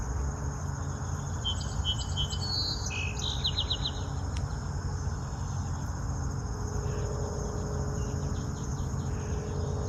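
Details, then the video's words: A keeper's own hwamei sings in a home garden in summer, giving a short burst of clear, varied whistled notes over about two seconds before falling quiet. Steady high insect trilling and a low background hum continue throughout. "Nhưng mà mình quay để quý vị nghe tiếng con chim họa mi của mình nó hót nha."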